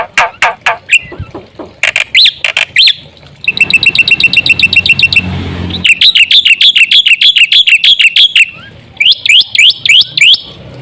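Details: Black-winged myna singing as a lure for other mynas. Several sharp notes, then a rapid buzzy rattle, then loud chattering series of metallic notes and upward-swept whistles.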